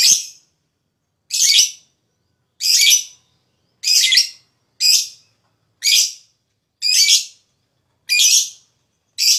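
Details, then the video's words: Lovebird call used as therapy to stimulate other lovebirds to sing: harsh, raspy high bursts about every second, evenly spaced with silence between. "Suara LoveBird Terapi,Rangsang Lawan Cepat Ngekek,LoveBird Ngekek Gacor"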